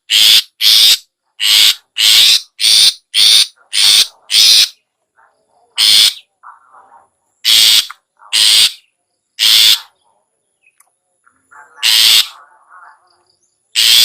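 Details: Ngetet-style long-tailed shrike, played to rouse caged shrikes. Loud, grating rasps come in a fast run of about eight, then turn irregular and spaced out, with soft low chatter between them.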